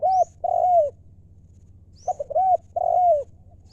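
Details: Spotted dove singing in the "liu" style, described as a wild-bred decoy for luring wild doves: two deep, hollow coo phrases of a short stutter and a long drawn, falling coo, separated by a second of quiet. Low steady hum underneath.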